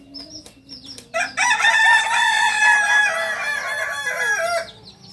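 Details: Kokok Balenggek rooster, the singing chicken native to Solok, Indonesia, at a breeding farm; a sustained rich harmonic crow of about three seconds rises out of softer calls and fades with a wavering tail.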